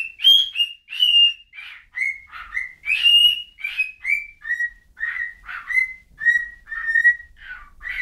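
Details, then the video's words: Bird in a busy string of whistled and chirped notes, starting higher and stepping gradually lower, each note short with slurred rises and falls, delivered almost without pause. "whistling bird"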